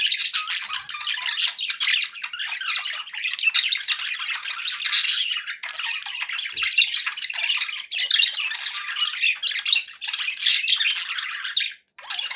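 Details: Happy pet budgerigars chattering nonstop indoors: dense warbling of squeaky chirps, scratchy squawks and twitters, flowing in waves with a brief pause near the end.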